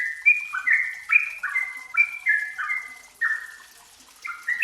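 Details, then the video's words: Yellow-vented bulbul (trucukan) heard in a lure recording for untrained birds: softer, quick stepped notes with a short pause before the song resumes, with a faint hiss in the background. "Pancingan TRUCUKAN BAHAN agar cepat bunyi dan gacor"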